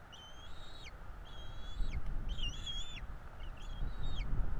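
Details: Begging of two bald eagle nestlings at feeding time, northeast Florida nest, 5 April 2022: four drawn-out piping squeals, slightly wavering, each ending in a quick downward slide, with constant low background rumble.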